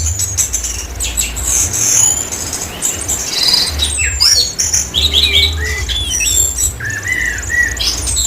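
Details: Orange-headed thrush, kept as a songbird in Indonesia, singing energetically: varied whistled phrases and sweeping notes, some rising and falling between mid and very high pitch, delivered in quick bursts, over a steady low hum.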